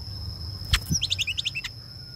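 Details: Greater racket-tailed drongo with long tail streamers singing to call the flock. After two clicks comes a quick burst of about nine short, high, bright notes in under a second over a low constant hum.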